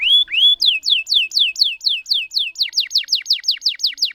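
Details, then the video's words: Canary song for prompting silent canaries to sing: two rising whistles, then a rapid string of about seventeen repeated descending slurred notes, quickening toward the end. "Burung Kenari Gacor Ngerol Panjang Untuk Pancingan Kenari Macet"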